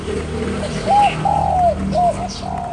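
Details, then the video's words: Cu gáy, the spotted dove, cooing to rouse a lure bird. One clear three-part phrase: a short hoot, a long slightly falling hoot, then a short final hoot. The last note is echoed faintly. Low hum below. "Cu gáy kích bổi"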